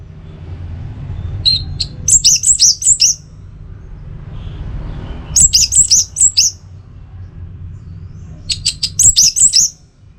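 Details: Orange-headed thrush phrases from a training and lure recording: three bursts of fast, high, stuttering chirps about every three seconds, over a constant low hum.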